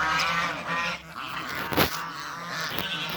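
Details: Male and female Toulouse geese meeting in a backyard; harsh, nasal honks with rich harmonics rise and fall through the first second, then quieter calls continue over a steady low mechanical hum, with a sharp noise burst midway.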